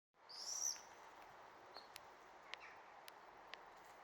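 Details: Swifts flying and back for the season, 16 May 2023, performing switchbacks and glides; one brief, shrill, high scream in the first second, then faint clicks and ticks over steady background hiss.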